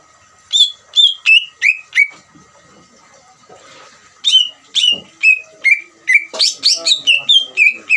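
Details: Leafbird ngeriwik, a trill for goading other greater green leafbirds into song: clear, falling whistled notes in quick sequence, a brief lull with faint rustling, then a longer run of similar notes, some harsher.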